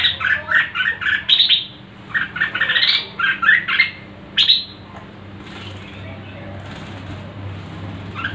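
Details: Red-whiskered bulbul singing competitively, fired up after bathing in a jar: loud bursts of rich, warbling, chirpy notes delivered in quick runs for about five seconds, then trailing off to quieter background with a steady low hum.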